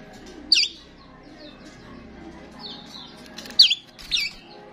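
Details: Starling sounding off as a lure to attract other starlings: two loud, sharp, high squeaky bursts about three seconds apart, with fainter chirps between over a low steady background hum.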